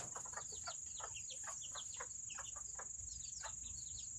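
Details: Serama chickens, smallest of all chicken breeds, chirping rapidly on a wet Saturday: dense, bright, downward-sliding peeps about four per second, overlapping, with a persistent high whine and steady hiss.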